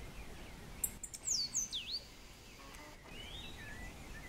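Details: Cabanis's ground sparrow in Grecia, Costa Rica, giving a quick burst of sharp, very high notes: a few ticks, then thin downslurred whistles ending in a dipping note, followed by softer lower whistles amid faint background noise.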